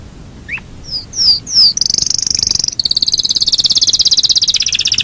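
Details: Yorkshire canary in full song: a rising chirp and three downslurred whistles lead into a long, loud, high rolling trill that runs on to the end.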